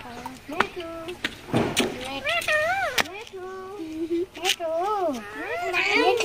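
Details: Pet Indian ringneck parakeet talking in a harsh, nasal voice: short mimicked syllables with bending, wavering pitch, broken by sharp clicks and bursts of noise, with music faintly in the background.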